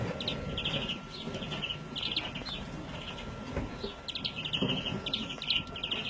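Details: European greenfinch young bird recorded in 2017: series of scratchy buzzing chirps in short clusters, a brief gap mid-way, then renewed rapid calling over noticeable low background rumble.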